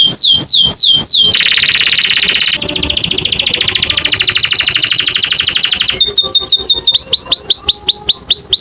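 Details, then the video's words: An American Singer canary sings bright, high song: a few fast falling whistles, then long buzzy rolling trills, ending in quick rising chirped notes, with no other sounds. "the beautiful sound of the American canary"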